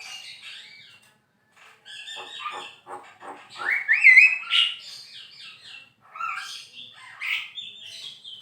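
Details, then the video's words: Jalak kebo, the Javan myna, singing busily as tutor material for songbirds: a jumble of scratchy chatter, a loud rising whistle with a quavering twist, and varied high squeaky phrases. "JALAK KEBO GACOR MASTERAN BURUNG KICAU"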